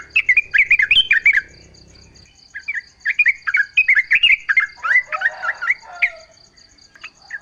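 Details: Yellow-vented bulbul singing outdoors, used as a lure so kept bulbuls answer in song: rapid bubbly, warbled short phrases in bursts, pausing near two seconds, over a steady pulsing insect drone, with a low rumble at the start.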